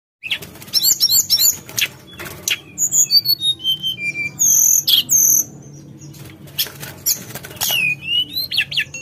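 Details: Javan whistling thrush singing vigorously in flute-like, rolling style: rapid high curling whistles and sharp notes, then long clear slurred whistles sliding downward, with brief buzzy bursts near the end.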